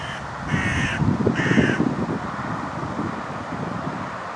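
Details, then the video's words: Young hooded crows at Gorenki railroad station, Balashikha, Moscow District, Russia, on June 15, 2011, giving two harsh, nasal caws about a second apart, over a steady low rumble of background noise. "Young Hooded Crows, Russia. Молодые серые вороны"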